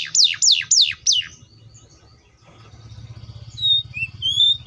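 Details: Canary singing a loud phrase of four rapid, steeply falling whistled sweeps, then a quiet stretch with a low hum underneath and a few thin, rising whistles near the end.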